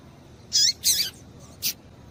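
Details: Female double-collared seedeater calling to excite males, three short, high chirps within about a second, each a quick descending note with a sharper click-like burst, over quiet background hiss.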